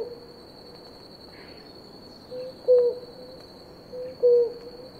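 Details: Blue ground dove pair drinking water; short, low, hollow single coo notes, the clearest two about one and a half seconds apart, with softer echo-like notes between and a steady high insect-like hum behind.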